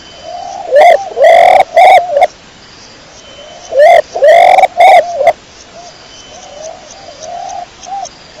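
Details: Pigeon calling with clear, loud coos around the middle register, two phrases of three to four rising-then-level notes separated by softer background coos from other birds.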